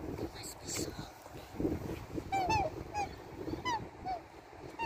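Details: Black swan family in Australia giving short whistled notes, some rising then falling, spaced about half a second apart after brief voices and rustling at the start, with steady low background noise.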